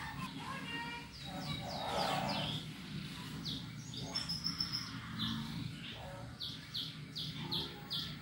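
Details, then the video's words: 'Ngetik' and 'gacor' canary song used as a lure for other birds: scattered high whistles, short buzzy trills and ticking notes in uneven bursts, with a low background hum throughout. "KENARI GACOR & NGETIK COCOK BUAT PANCINGAN"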